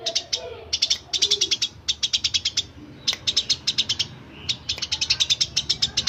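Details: Chirping of a Eurasian tree sparrow, presented as a tutor song for magpie robins and green leafbirds; bursts of four to six sharp, high chirps separated by short pauses.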